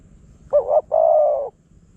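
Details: Wild spotted dove from Phrae, Thailand, coming in aggressively to a decoy. One loud phrase: a brief warbling double note, a short gap, then a long, level, hollow coo lasting over half a second, with quiet surroundings.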